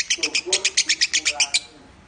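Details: Lovebird singing in the Minor style for a training recording: a quick burst of about a dozen bright, high chirps in even rhythm, ending abruptly in quiet.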